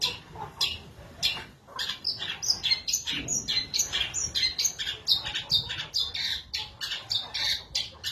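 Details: Caged long-tailed shrike in Indonesia singing vigorously right after its cage cover is opened, a tutor recording: a fast stream of harsh, buzzy, high chattering notes with scratchy accents, about one or two per second, with no pauses.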